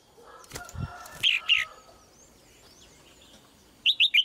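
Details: Singing female red-whiskered bulbul. Soft fluttering and clicking noises open, followed by two loud whistled notes, a long pause, then three quick slurred whistles.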